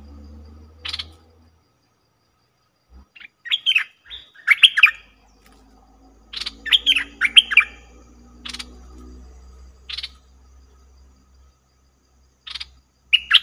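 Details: Cream-vented bulbul calls played as a trapping lure: scattered short, sharp chirps and brief bubbly phrases with gaps between them, over a faint low hum.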